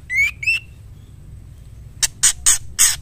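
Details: Female white-rumped shama calling to the male with two rising whistled notes, then a silence and four loud harsh rasping calls.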